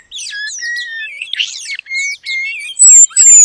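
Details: Oriental magpie-robin mimicking the long-tailed paradise bird as training material: scratchy twitters and level whistled notes at moderate pitch, a brief harsh squeal, then loud high whistles sliding down at the end.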